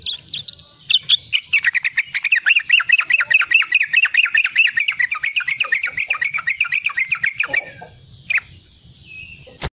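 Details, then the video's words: Sooty-headed bulbul, young bird, in rapid 'riwikan' chatter for luring other bulbuls; harsh, fast notes repeated more than twice a second in a long unbroken run, then a lone note after a pause. "Riwikan trucukan muda gacor untuk pancingan bunyi trucukan bakalan dan anakan"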